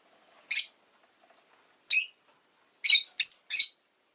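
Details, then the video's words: A pet rosy-faced lovebird calls with shrill, rasping chirps: two single notes spaced over a second apart, then a rapid run of three. "Lovebird Chirping Sounds"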